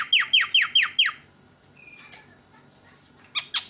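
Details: Javan myna calling with five quick descending whistled slurs, a short whistled note, then a pair of harsh raspy calls.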